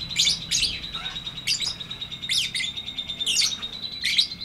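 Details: Lovebird in ngetik ngekek song, a long chattering style: loud, harsh high twittering bursts about every half second to second, riding over a thin steady whistle-like tone.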